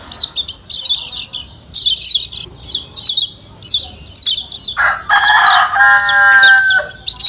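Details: A Lombok lemon-bellied white-eye (Zosterops chloris) gives high, thin chirps in quick bursts of two to four, about once a second. A lower, drawn-out harmonic call from another bird cuts in midway.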